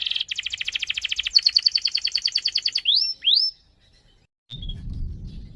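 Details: Rolling canary song for prompting other canaries: a fast, even trill of pulsed notes runs for nearly three seconds, two rising whistles follow, then silence and a burst of low background noise.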